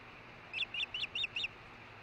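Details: Buzzing-type call of a female osprey at the Hellgate nest after the male delivered a fish, recorded on a nest cam at 11:40 am on 10 August 2013: five sharp, high notes in quick, even succession over faint background hiss.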